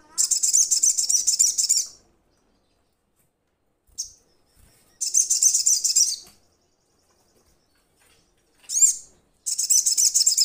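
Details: Crimson sunbird calling to its companions: dense, very high buzzy trills of rapid ticking notes, each burst about two seconds long with short pauses between, plus a few brief sharp chips.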